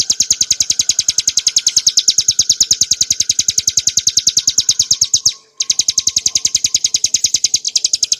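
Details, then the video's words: Song of a bar-winged prinia, ciblek gunung, in clear ngebren nembak style for cage bird training and luring: fast repeated high notes, a brief pause near five and a half seconds, then more. "kicauan burung ciblek gurun untuk masteran & pancingan - suara jernih ngebren nembak"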